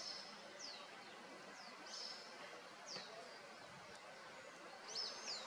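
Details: A White-spotted Woodpecker at its nest in Serra da Cantareira, São Paulo, Brazil, recorded in August 2023, gives thin, high call notes, short slurred strokes repeated about once a second, faint against steady background hiss.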